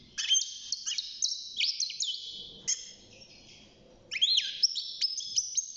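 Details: European goldfinch, young and caged, starting to sing at six months: quick high twittered notes and metallic upslurs, a short lull, then a renewed burst of repeated bright chirps.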